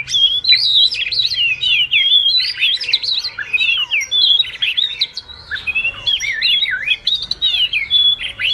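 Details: Wagtail twittering to call the flock, sound meant as a trapping lure; dense, continuous chatter of high slurred whistles, rising and falling notes tumbling over each other with short trills, barely any gaps.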